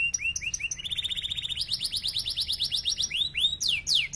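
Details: Yellow Belgian canary song: a quick chain of rising chirps climbing into a steady rapid trill of short high notes, ending in a few swooping whistles.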